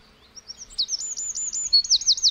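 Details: Wren chirping away in the forest: soft high notes build into a loud, rapid trill of bright, repeated downward-sweeping notes, the pitch stepping slightly lower near the end.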